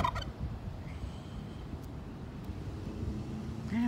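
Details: A wild turkey, thought to be female, on Emerald Street in Boise, about 15–20 feet away on a sunny roadside, gives a brief, rapid rattling gobble over steady low traffic rumble; a person's voice is heard near the end.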